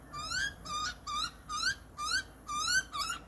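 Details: Young Australian butcherbird chick begging as a wild adult feeds it: six harsh nasal upslurred squawks, about two a second, each rising slightly, over faint room noise; Butcherbird.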